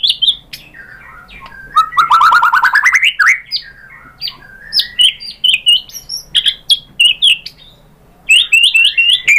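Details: Lure song of the white-rumped shama meant to excite a bird into singing back: a rising rapid trill, then a jumble of varied whistles and sharp high notes with short pauses.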